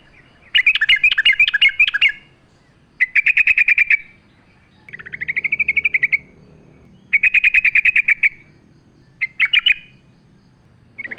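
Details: Sooty-headed bulbul in a lure recording meant to draw out song, set with nature sounds: rapid rattling trilled bursts, each roughly one to two seconds long, separated by short pauses, one phrase rising, with a faint low hum beneath.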